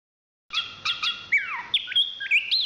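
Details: Chestnut-capped thrush, a national champion songbird of Southeast Asian forests, singing clear whistled phrases: a few sharp notes, then a sweeping downward slur and a series of high rising and falling whistles.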